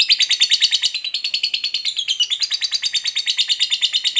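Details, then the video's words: Lovebird giving a long ngekek, the trill played to provoke another lovebird to fight: steady rapid harsh pulses, roughly seven a second, continuing throughout. "SUARA BURUNG LOVEBIRD NGETIK NGEKEK PANJANG"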